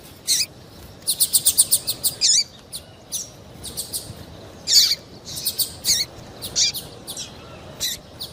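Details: Female double-collared seedeater calling to prompt males to sing. It opens with one high chip, then a quick series of about eight bright ticking notes, followed by scattered sharp, downward-sliding chips.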